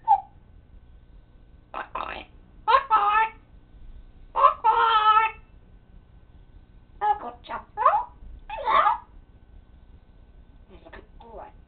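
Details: Indoor pet parrot producing a series of harmonic, speech-like phrases in short clusters separated by brief pauses, some syllables rich and nasal, over a quiet background.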